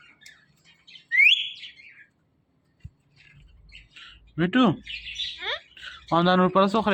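A parrot gives a sharp rising chirp, then two bursts of harsh, speech-like chatter that mimics human words.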